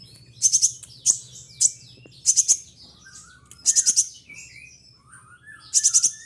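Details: Caged kolibri ninja song made of imitated material: loud bursts of four or five rapid, very high ticking notes about every second, with thin descending whistles and slurred notes between bursts.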